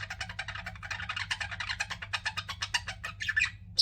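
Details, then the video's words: Pet budgies chirping indoors: a rapid run of short chattering pulses, about ten per second, building into brighter squeaky notes near the end, over a steady low hum. "CUTE PET BUDGIES CHIRPING"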